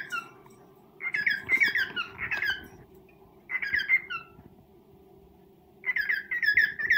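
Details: Pet male cockatiel serenading a female: three short phrases of squeaky, downslurred chirps separated by quiet gaps of one to two seconds, with a faint low hum.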